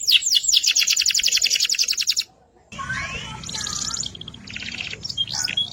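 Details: Energetic AFS canary song used as a training model: a dense high rattling trill for about two seconds, a brief pause, then softer mixed twittering phrases over faint background noise.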